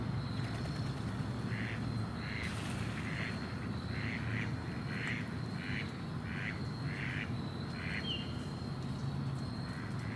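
Ducks give a run of short, harsh quacks, roughly two each second, over a steady low rumble and a faint high tone.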